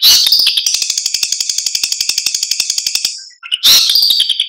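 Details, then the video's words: A long-tailed shrike tutor recording of harsh, buzzy chatter, about four rapid notes a second, then a brief pause before another scratchy burst; trickling water is heard in the pauses between sets. "MASTERAN CENDET"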